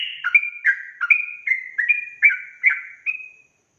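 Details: Sooty-headed bulbul in rapid, lively 'ropel' style song, used to provoke rival bulbuls: quick chain of about nine bubbly, slurred whistled notes alternating between higher and lower pitches, roughly two or three per second.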